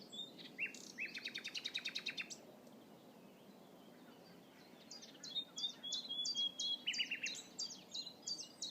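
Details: Common nightingale back in spring on a hunting concession, singing outdoors: a series of repeated whistled notes and a fast rattling phrase, a pause, then sharp chips and another rattle, over steady background noise.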